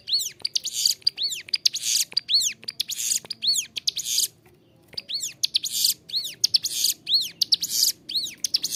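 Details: A persistently singing ciblek gunung prinia, recorded as tutor song for caged birds, pours out repeated arched whistles mixed with dense buzzy rattles, a brief pause near the middle, indoors with faint room noise.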